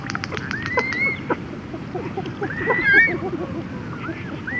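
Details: Red-gartered coot chicks and adults giving conversational calls, recorded close up: thin rising whistled notes and short clicks over a busy murmur of softer calls.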